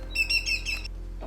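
A yellowlegs gives a quick series of about four clear, ringing whistled notes, 'tew-tew-tew-tew', all within a second, over a faint low background hum.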